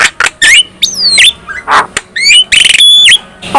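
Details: Black-winged myna singing, a song said to make others of its kind sing and become agitated: long, falling whistles, a breathy rasp, and bright metallic notes with a clear sustained tone.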